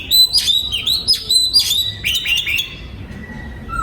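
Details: A caged oriental magpie-robin in a breeding aviary, 2022, gives a burst of sharp whistled notes with quick downward slurs. The song stops after two and a half seconds, leaving faint background noise.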